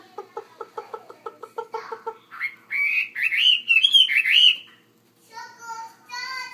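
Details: Caged Chinese hwamei in a larger enclosure: a quick rhythmic chain of short chips gives way to a loud, rolling whistled phrase with rising and falling turns, then a softer high tonal note after a brief silence.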